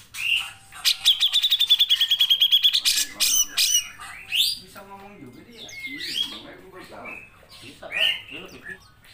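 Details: Grey-cheeked bulbul in lively gacor song with long nembak passages, recorded as training material for songbird keepers. A rising note leads into a fast even pulse run with a whistled trill, then varied chattering and rising whistled notes.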